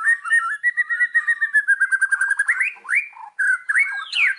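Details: Indonesian white-rumped shama song used as a lure to set other birds singing: a fast run of short whistled notes near one pitch, gradually rising, then looping slurred whistles and sharp upward sweeps, with no other sounds.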